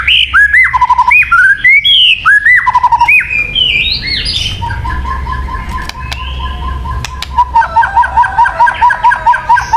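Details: White-rumped shama song for luring birds. It opens with loud, varied, swooping whistles, then a softer stretch, and ends with a fast run of short, even, repeated whistled notes.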